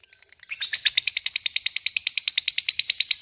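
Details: Lovebird in the ngekek chattering song style, rendered 'cik cik cerrr': a rapid, even series of sharp high chirps, about seven per second, sustained without a break.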